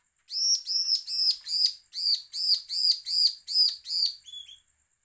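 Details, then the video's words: Threatening calls of a bar-winged prinia, used to goad other birds into singing; a steady run of ten sharp, high, chipping notes at an even pace, each bright and metallic, ending in a faint softer note. "suara ciblek penuh dengan ancaman cocok buat pancingan ciblek agar bunyi."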